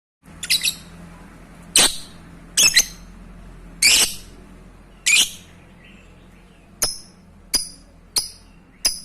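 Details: Lovebird sound used to stimulate breeding in other lovebirds: sharp, high, squeaky chirps at irregular spacing, about one a second, some in quick pairs, over a faint low hum.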